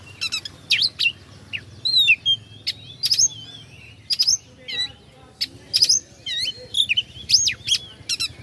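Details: Oriental magpie-robin song played to excite rival birds: crisp whistled upsweeps and down-slurred notes in clustered bursts, separated by short pauses, over a soft low hum.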